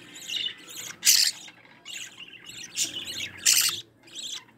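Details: Growing budgerigar chicks in the nest, one an opaline carrier, beg as the mother feeds them: uneven raspy chirps rising to two louder hissing bursts.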